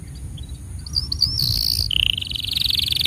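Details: Canary song for tutoring young birds and prompting those that stopped singing: soft rising whistles, a high buzzy note, then a steady fast trill held to the end, with low rumbling background noise.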